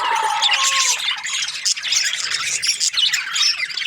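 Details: Budgies producing a continuous, noisy chatter of high scratchy chirps, with a couple of lower drawn-out tones early on beneath the flock's twittering.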